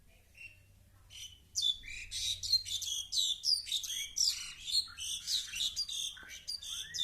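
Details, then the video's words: Indian pied myna (Asian pied starling), landed at a window and attacking its own reflection, more excited once its companion joined, pours out a rapid, varied jumble of harsh chattering bursts, creaky notes and squeaky whistles for over five seconds. "Pied Myna attacks mirror image, making different sounds."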